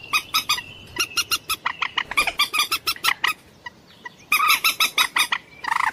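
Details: Common moorhen calling: rapid series of harsh, clucking notes repeated several times a second in bursts, with brief pauses between runs and a short, drawn-out squawk near the end.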